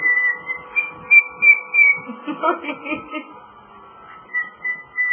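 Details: Male pet cockatiel whistling Jingle Bells with clear notes at the start and end, while a burst of harmonic, speech-like chatter fills the middle of the recording.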